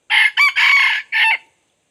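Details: Junglefowl decoy rooster crowing to lure wild junglefowl in: one hoarse, broken crow of four harsh, rasping segments lasting about a second and a half, then silence.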